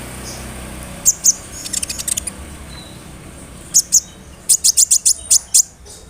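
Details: Brown-throated sunbird song used to provoke other sunbirds. Sparse clusters of very high, thin, piercing notes come in quick doublets and short trills, with quiet gaps between them.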